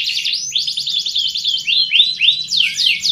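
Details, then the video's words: Canary song played to stimulate breeding. Short burst of very fast high trills followed by three looping downslurred whistles and a final rising sweep. "Suara Pancingan Kenari Kawin Paling Ampuh"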